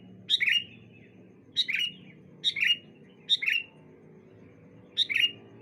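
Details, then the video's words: On a bright morning, sooty-headed bulbuls give short, cheerful double-note whistles. The whistles come in five bursts spaced about a second apart, with a low humming background. "Suara Burung Kutilang Saut Sautan"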